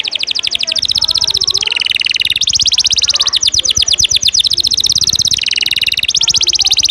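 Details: Canary singing an energetic 'ngejos' song fill used as tutoring material for contest birds: long, fast, buzzy trills of rapid repeated notes, broken by brief lower rolling phrases, continuous and loud.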